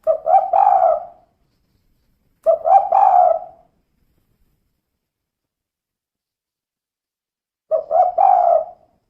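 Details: Female spotted dove giving its "kuk 2" style call: three separate low, husky cooing phrases, each about a second long, built from a few quick rising notes that end in a longer coo. Spaced several seconds apart, with no other sounds.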